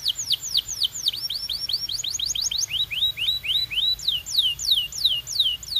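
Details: Belgian canary song built from an unbroken chain of downward-slurred whistles, about four a second, quickening in the middle and slowing again toward the end.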